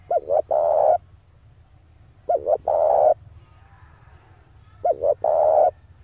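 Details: Male spotted dove, call meant to draw in wild doves: three evenly spaced phrases about every two and a half seconds, two brief notes and a longer throaty coo each time, over a low background hum.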